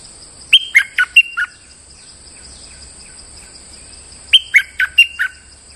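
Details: Molting bulbul used as a lure bird, singing normally: a quick phrase of five bright, clipped whistled notes, with the first high and then falling, repeated after a pause of about three seconds. Steady high hum behind it.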